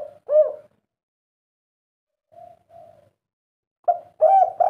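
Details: Derkuku, or spotted dove, of the 'kuk 3' kind, whose call the legend says carries its 'kuk' up to three times. One loud coo, then two faint soft notes after a long pause, then a rising pair of coos.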